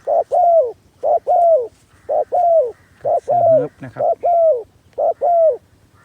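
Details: Decoy spotted dove used to attract wild doves, cooing steadily. Each phrase is a brief note, then a drawn-out falling coo, repeated about once a second. A faint rustle breaks in midway.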